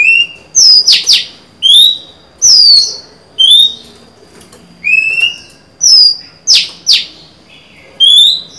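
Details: Caged-bird recording of a female Oriental magpie-robin singing to draw a male, 23 July 2020: pure slurred whistles rising or falling, broken by short harsh rasping double notes, phrases closely spaced with brief pauses.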